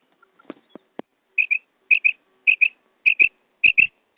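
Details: Quail calls: after a few soft clicks, sharp high two-note calls repeat about every 0.6 seconds.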